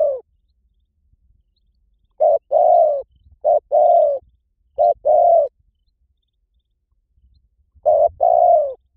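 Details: Spotted dove recording for luring birds: four bursts of paired coos, each a short note then a longer falling coo, separated by gaps of one to three seconds over faint low rumble.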